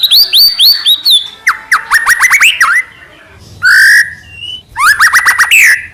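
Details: White-rumped shama singing to goad rival shamas into answering: rich whistled phrases, a run of quick rising slurred notes, a brief pause, then a harsh buzzy burst and more rapid upswept notes.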